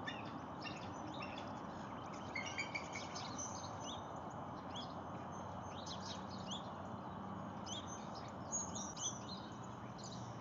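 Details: Bald eagles at Lake Murray on 19 January 2022: an adult that has just caught a fish calls as a juvenile draws near hoping for a bite. Thin, high chirps come in short bursts over a constant broadband rush of noise.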